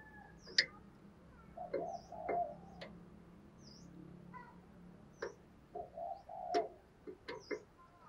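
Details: Spotted dove used as a decoy to draw in other doves: two soft cooing phrases of hooked and drawn-out low notes, mixed with sharp clicks and brief high chirps.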